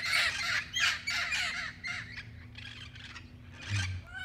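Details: Local green parrots in Pasadena, noisy in the morning: harsh, raspy screeching calls repeated in quick bursts, several birds overlapping, with a low engine-like rumble in the background.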